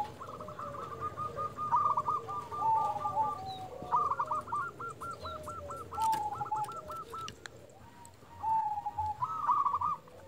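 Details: Zebra doves calling back and forth, with a local lure dove provoking others to answer. Several faint, overlapping series of short repeated coos from multiple birds over a rough, noisy background with clicks.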